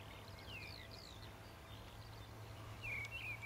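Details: Meadow pipit (Anthus pratensis) at Pegsdon Hills in May, on a sunny day among skylarks, perched and watching, giving thin, high, downslurred call notes in scattered bursts, faint against a steady low rumble of wind or distant traffic.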